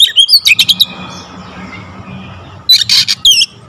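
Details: Oriental magpie-robin delivering rapid-fire song with varied fill-ins: a quick run of bright whistled slurs and clipped chips, a pause with steady low hum, then another short buzzy burst.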